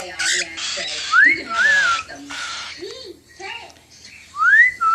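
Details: Baby cockatiels after handfeeding beg with harsh, hissing rasps mixed with rising, upslurred whistles while a person talks.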